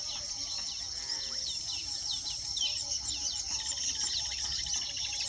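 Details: At a weaver nesting site, rapid high chirps and sliding notes tumble over one another about twice a second, set against a steady high-pitched hum.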